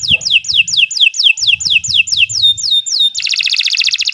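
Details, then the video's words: Canary song for training other birds: a regular run of about a dozen high descending whistled notes, then a sudden harsh buzzy rattle, over faint low rumbling background. "Kicau Burung Kenari II GACOR PANJANG Cocok untuk Masteran"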